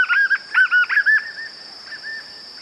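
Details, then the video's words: White-eared puffbird singing, with unaltered sound: a quick run of wavering whistles that fades into softer, lower-volume notes, accompanied throughout by a steady high-pitched background tone. "Som limpo do canto🎵 do João Bobo"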